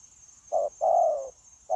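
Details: Wild-caught spotted dove kept as a trapping decoy, 9/1/2024, giving one full coo phrase, a short low note then a longer level-to-falling coo, with the next phrase starting; faint constant high hum in the background.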